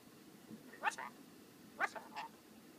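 A rainbow lorikeet talks in two short, speech-like bursts about a second apart, each a sharp, slightly raspy syllable followed by quick lower notes, against a quiet room.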